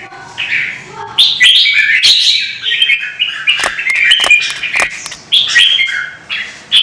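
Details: Red-whiskered bulbul in a singing contest, delivering dense, fast runs of warbling whistled notes mixed with hard clicks and crackles, little pause between phrases.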